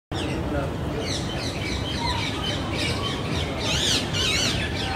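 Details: Rose-ringed parakeet pairs at Qutb Minar, Delhi, India give harsh, screechy squawks, several overlapping near the end, over a steady background rumble with possible voices.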